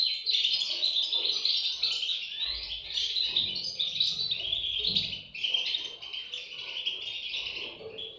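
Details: European goldfinch nestlings keep up a steady, high-pitched chorus of squeaky chirps throughout, with a soft low rumble in the background for a few seconds.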